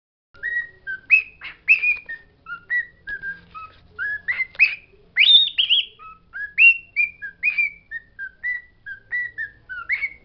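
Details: Pet bird singing the words it knows: a steady run of short whistled, syllable-like notes, some flat and some sliding upward, with a few brighter, higher bursts in the middle; no other sounds.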